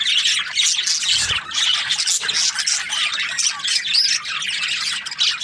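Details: Constant budgie chatter, many birds squawking and warbling together, with a brief low thump near the start and a faint hum.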